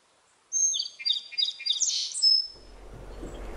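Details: Song sparrow singing: a few clear high introductory notes, then a rapid stuttering series and a dense buzzy burst, ending in a thin drawn-out whistle, followed by soft background rustle.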